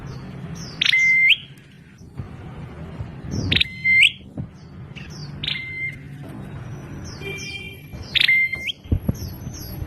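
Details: Bar-winged prinia (prenjak klawu) repeating its odd call several times over ten seconds: a loud burst, a level whistle, then an upturn, interspersed with softer calls and high chirping from other birds, with low background noise.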